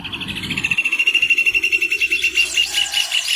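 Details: Loud rufous hornero trill: rapid, evenly pulsed high notes running for nearly three seconds, very clean and dominant, with only a little low noise at the start.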